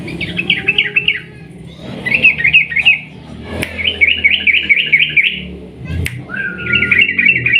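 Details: Sooty-headed bulbul song used to incite other bulbuls to sing: four bursts of rapid, bouncy slurred notes, each about a second long, interrupted by sharp clicks and a low background rumble.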